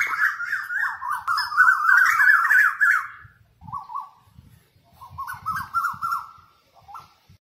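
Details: Asian koel calling in a village where many koels sing: quick bubbling series of rising, slurred notes, about three per second, climbing in pitch before breaking off and starting again, faint low background noise.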